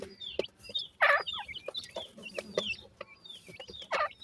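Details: Francolin chicks feeding and playing in the evening give a busy stream of thin, high peeping chirps, broken by two louder, harsher clucking bursts.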